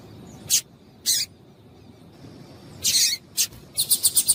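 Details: A female double-collared seedeater calls to excite the male with scattered high, scratchy chips, first singly, then a longer rasp, then a quick run of about six short ticks at the end, over a low steady hiss.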